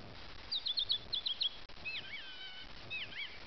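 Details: Varied song of a bird at Abel Tasman, New Zealand: a run of rapid high twittering notes, then looping, wavering whistles that rise and fall, against quiet hiss.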